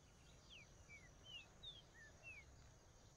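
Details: Green-winged saltator (trinca-ferro) singing: six short clear whistled slurs, mostly falling, spaced about every half second, over a steady low hiss and a faint high continuous tone.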